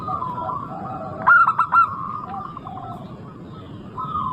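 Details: Active local zebra dove, a lure to make other zebra doves sing: a single short burst of three or four rapid coo notes amid a continuous low chorus of softer cooing.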